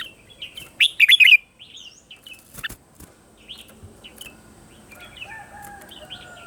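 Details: Red-whiskered bulbul morning song, recorded as a training and decoy voice for other bulbuls: one loud, quick burst of bright, tumbling chirps, then scattered softer notes and a long, faint, steady tone in the background.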